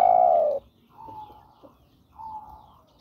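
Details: Spotted dove calling a female, used as a bird lure: a loud, drawn-out, falling coo opens, followed by softer, fainter coos after a short gap.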